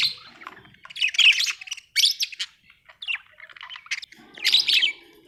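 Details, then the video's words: Budgerigar, described as happy, chirping in bursts of rapid warbled, buzzy notes high in pitch, separated by short pauses, with a faint low hum beneath. "happy budgie chirping sound"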